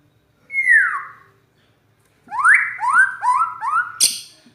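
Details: White-rumped shama in a rough-voiced style, praised as a champion bird. A loud whistle slurs downward, then after a pause comes a run of four rising whistled notes, each sliding up. A sharp, high burst ends the phrase.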